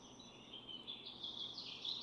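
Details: Incubating barn swallow pair at a nest with four eggs; a thin, sustained high warble slides and wavers, growing slightly louder toward the end, over a soft hiss.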